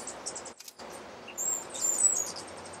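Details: Blue-grey Tanager at Alambi Cloud Forest Reserve, Ecuador, in May 2012, giving a few very high, thin, squeaky notes, short and slightly slurred, over a steady hiss.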